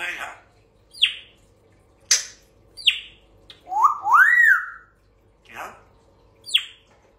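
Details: A talking grey parrot gives sharp, falling whistled chirps about once a second, broken by a longer warbling, speech-like phrase that rises and falls in the middle.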